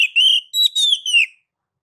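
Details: Oriental magpie-robin, ngeplong song style: one short whistled phrase of three or four connected notes, a steady tone that rises slightly, then falls away. No other sounds.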